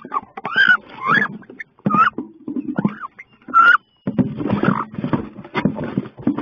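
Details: Two female wood ducks fighting inside a nest box on 16 May; rapid rising squeals and harsh calls mix with heavy scuffling and wing-flapping, with a brief silence near the middle.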